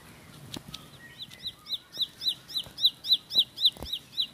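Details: Bar-winged prinia, called ciblek sawah or ciblek pari, in a fast rolling 'tembakan' song style: after a few scattered clicks and notes, high arched whistled notes build and repeat about four times a second, with faint rural background noise.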